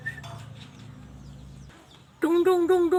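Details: Starling known for imitating laughter and coughing; after quiet background hum, a loud nasal harmonic note repeats in quick pulses, like a staccato laugh.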